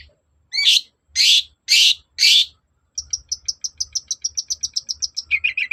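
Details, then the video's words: Long-tailed shrike (cendet) song played to get another bird answering: four harsh, rasping notes about half a second apart, then a fast, even series of short high ticks, ending in lower chattering. "BURUNG CENDET GACOR NGOTOT || pancingan cendet agar nyaut gacor"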